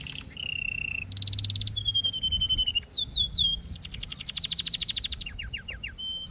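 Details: Canary in full song: a low whistle, buzzy roll, steady trill, swooping notes, then a long run of fast repeated high syllables.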